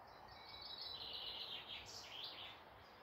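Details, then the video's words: Birds singing in morning woodland near Malton, North Yorkshire, England: a rapid, high, jangling warble that climbs into sharper, louder notes toward the end, over a soft steady background noise. "Morning Woodland birds singing"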